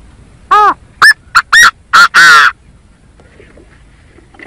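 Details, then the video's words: Chinese francolin call played as a trapping lure: a loud, harsh phrase of five ringing notes with the last note longest, then quiet. "Tiếng chim Gà Gô kêu chuẩn 100%"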